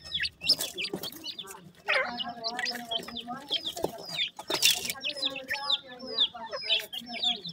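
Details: Francolin chicks, several together and feeding, give thin high peeps that slide downward, overlapping rapidly. Sharp clicks and rustling run throughout, with some lower chirps underneath.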